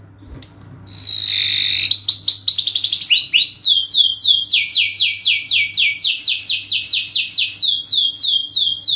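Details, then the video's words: Long lure song of a canary, played to train and draw out other canaries: a short pure whistle and buzzy notes open into long, steady runs of quick, high descending whistled sweeps repeated about four times per second. "masteran burung kenari gacor panjang untuk pancingan"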